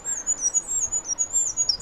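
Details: A firecrest sings from the top of a pine tree in a forest: a run of very high, thin, needle-like notes, quickly repeated and rising slightly, over a faint background hush.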